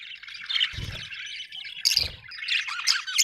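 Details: Budgerigars keep up a continuous scratchy warble with bright squeaks, interrupted by two low thumping bursts.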